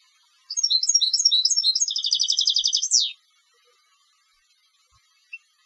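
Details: European goldfinch of competition stock: tinkling twitter notes lead into a dense buzzy trill, finishing on a downward sweep, followed by near silence with one faint chip.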